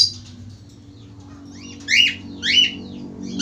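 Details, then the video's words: Actively singing male budgerigar: after a quiet opening, three sharp, falling-then-rising chirps come about half a second apart over a steady low hum. "falk australi gacor"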